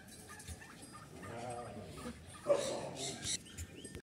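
Bronze turkey giving rough, warbling calls, with a louder burst midway and a shorter one after, over steady farmyard background noise.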